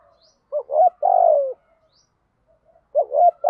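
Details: Spotted dove cooing: soft, low, hollow phrases of a couple of short notes followed by a longer drawn-out coo that sags slightly in pitch, then the phrase begins again after a pause; quiet background.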